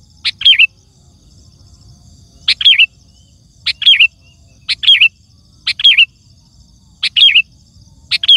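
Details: Sooty-headed bulbul (Pycnonotus aurigaster), song.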